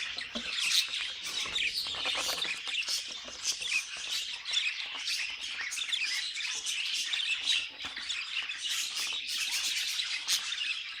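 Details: Budgies in full song, many birds overlapping in a busy, high chatter of trills, clicks and bright squeaks that pulses slightly in loudness but never pauses across the whole stretch.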